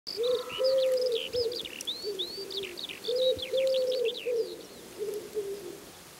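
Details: Wild common wood pigeon giving low, soft hooting coos in drawn-out notes grouped into repeated phrases, while several songbirds chirp and whistle busily at a much higher pitch throughout.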